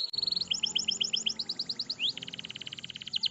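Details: Canary singing a long rolling 'cuit cuit' song, used as a lure to teach young canaries to sing; rapid repeated high chirps in fast series, a rising sweep, then a steady trill of evenly spaced notes.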